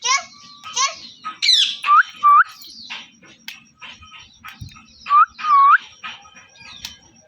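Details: Parrot chirping and calling: a busy run of quick, scratchy chirps and short notes broken by four loud, clear whistles that dip and curve upward, repeated in pairs, over a faint steady background hum.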